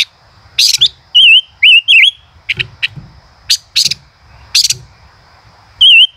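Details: Male common rosefinch singing 'chế cựa hai' style: wavy whistled notes in a quick group of three, interspersed with harsh buzzy bursts and crisp clicks, ending on another wavering whistle.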